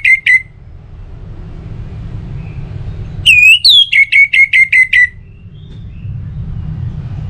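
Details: Lure song of an orange-headed thrush in ngeplong style: two short whistles at the start, a long quiet gap, then a clear rising note leading into a quick, evenly repeated string of shrill whistles.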